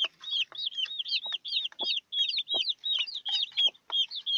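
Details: Shrill chorus of newborn chicks with the mother hen: rapid, overlapping high cheeps, about three a second, each a quick up-and-down whistle, along with faint clicks.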